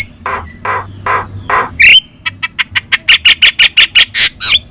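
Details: Yellow-eyed Javan myna, a vocal bird recorded to train other songbirds: four throaty, rasping squawks, a short squeal, then a quick, accelerating series of dry chattering notes.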